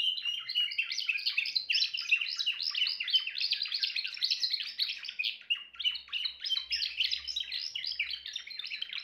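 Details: A Timbrado canary delivers long rolling song of dense, rattling trills and bright chirped notes that switch pattern every second or so, with a brief low rumble partway through.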